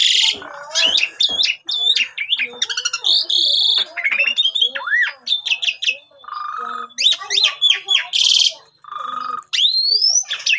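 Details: Asian pied starling song, used as a lure for training young starlings: a rich, loud medley of sweeping whistles, squeaky rising notes, harsh squawks and buzzy bursts, delivered in quick, varied phrases with brief gaps.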